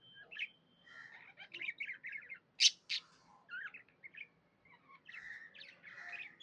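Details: Happy pet budgie giving soft chattering chirps and warbles, with two sharp, loud squeaky notes standing out near the middle.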